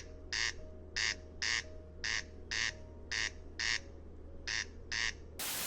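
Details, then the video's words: Corncrake in Ukrainian summer meadows giving its dry, rasping crex-crex, about ten harsh creaking notes roughly every half second, loud enough to carry over a kilometre on a quiet night; steady low hum, ending in a burst of noise. "This is the voice of Derkach."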